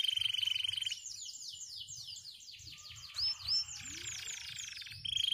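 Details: White canaries singing: a steady high trill, then a tumble of quick sliding notes, a couple of clear whistled upslurs, and the trill returning at the end, with a low hum beneath.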